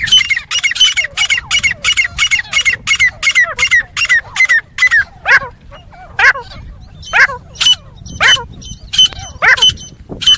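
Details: Fighting call of grey francolin, described as the best fighting sound and good for hunting: a fast run of sharp, rasping notes about twice per second, slowing later into spaced, curling squealing notes over faint low hum.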